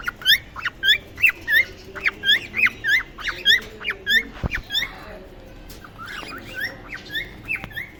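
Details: Cockatiels in a breeding colony give quick, bright chirps with upward twists, tumbling over one another in a busy flock chorus.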